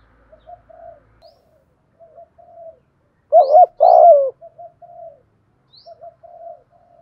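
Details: Spotted dove, thổ-voiced, calling a decoy bird: faint soft cooing throughout, with one loud pair of hoots and a falling coo in the middle and thin high chirps from other birds.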